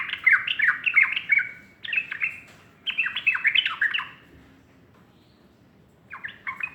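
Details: Sooty-headed bulbul in morning song: three bursts of cheerful bubbling, slurred whistled notes about a second apart, a pause, then the phrase begins again.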